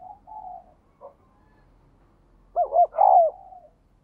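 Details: Captive spotted dove with a bright, metallic voice, a keen cooer whose song is played to get newly caught birds cooing; soft low coos open, then a louder burst of three rolling, wavering coos ending in a drawn-out note.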